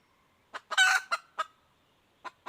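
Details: Female red junglefowl call: a short cluck, a loud rough squawk, then three quick clipped clucks, with two faint clucks after a brief pause.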